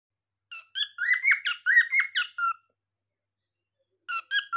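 Cockatiel giving a quick run of harsh, rasping chirps that rise and fall, about eight notes in two seconds, then a short burst after a pause; indoor room.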